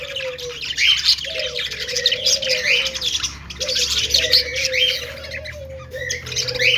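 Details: Budgerigars making happy sounds: a continuous busy chatter of warbled chirps and squeaky twitters from more than one bird, with a lower whistled tone sliding in again and again underneath.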